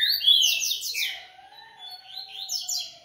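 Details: Double-collared seedeater (Sporophila caerulescens), song.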